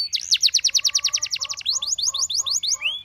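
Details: Canary singing, calling to tempt other canaries into song: rapid high trill of repeated downswept notes at about six per second, then a faster rolling series with low underlying tones, ending in a rising whistle.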